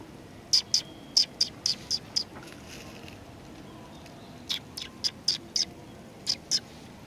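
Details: Sparrows at a community hall, 16 July 2020, greeting arrivals with quick bright chirps in a rapid run of about seven, a pause, then another scattered burst of high clipped notes.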